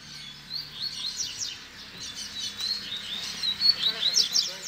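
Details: Double-collared seedeater singing in the 'baderna' style with 'fibra' notes, used to teach young birds to sing: fast, varied, high chirps and buzzy trills crowded together in a continuous stream.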